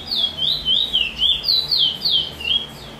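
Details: Trini bullfinch, a chestnut-bellied seed finch, delivering the chee chor weet sweet roll song, 22/06/20: a continuous rolling chain of about eight clear, high whistles, each swooping down then up, several per second.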